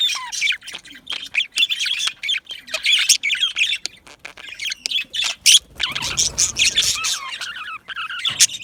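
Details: A colony of yellow male budgies in an aviary fills the air with busy overlapping chirps, squeaks and warbles, high and nonstop, some notes sharp and scratchy, with a brief low rumble midway.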